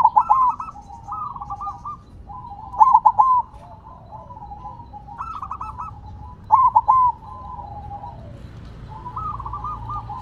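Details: Silver zebra dove singing while set on the ground, giving rolling bursts of quick bubbling coos about every four seconds, each phrase a few rapid pulsed notes followed by softer trailing trills.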